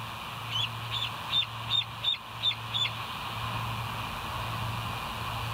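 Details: Bald eagle at the West End nest, 27 September 2023 around 7:02: a run of about seven thin, high, squeaky chirps spaced under half a second apart, over a constant low electrical hum.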